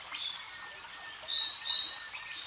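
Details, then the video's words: Grey-headed canary-flycatcher singing: a brief phrase of high, thin, sweet whistled notes lasting about a second, set against a steady hiss of background nature noise. "Grey Headed Canary Flycatcher Singing"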